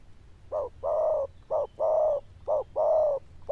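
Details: Loud bell-toned zebra dove in the 'đồng chuông' style delivers steady cooing: a brief note followed by a long, slightly falling coo, repeated about once a second, with a low background hum.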